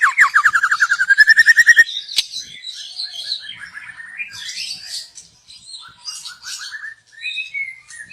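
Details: Young wild white-rumped shama from the forest, recorded as a lure; opens with a fast rattling trill of repeated notes rising in pitch for nearly two seconds, then softer scratchy twittering and brief descending whistle runs.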